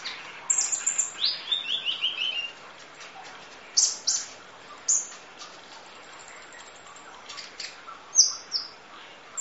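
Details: Sunbird master song, full fill: an opening run of quick descending high trilled notes, then scattered sharp chirps and short whistles after a pause.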